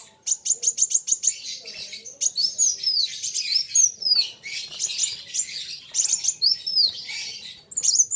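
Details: Sunbird singing persistently against a rival: rapid series of short high ticks, then a lively tumble of thin, sweeping, chattering high notes that overlap and carry on almost without pause.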